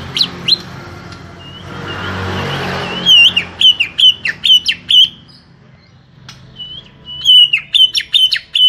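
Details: Small-bodied greater green leafbird opening after a few seconds of hissing noise with a rapid series of high, clear whistles that swoop downward. The notes come in two energetic phrases split by a short quiet gap.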